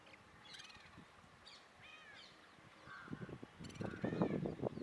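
White-naped woodpecker giving harsh, nasal calls in short bursts about once a second, with rumbling wind or handling noise growing louder toward the end.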